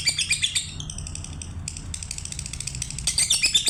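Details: Lovebird giving bursts of high, shrill chirping at the start and end, separated by a quieter stretch of softer, scattered twitters.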